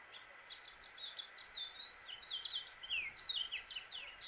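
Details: Male house finch singing in Suffolk, Virginia, USA: a quick, lively warble of short slurred notes rising and falling, delivered in a continuous tumbling run, somewhat faint against a steady hiss.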